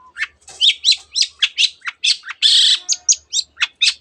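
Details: Long-tailed shrike (cendet) in full song, packing canary and many other birds' phrases into its repertoire: a rapid run of varied sharp chirps and harsh notes, about four per second, with one longer rasping burst midway.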